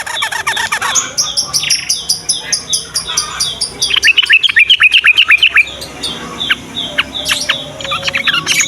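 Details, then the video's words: Yellow-vented bulbul singing in the morning, a recording used to lure young bulbuls into song: fast, bubbling chatter of sharp rising and falling notes, several per second, over a steady, evenly pulsed high background tone. "SUARA BURUNG TRUCUKAN PAGI HARI"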